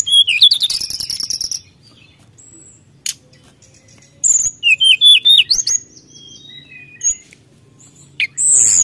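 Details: Brown-chested jungle flycatcher singing vigorously to provoke rivals, a fast rising warble at the start, a quiet gap, then a burst of loud sliding whistled notes and a few scattered high calls.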